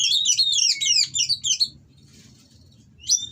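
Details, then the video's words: Oriental magpie-robin in breeding condition, kept caged, pouring out harsh provoking song; a fast string of bright, looping whistled notes stops abruptly, silence, then one sharp high note, over low hum. "Burung Kacer Kawin Bongkar Materi Kasar Bikin Lawan Langsung Emosi"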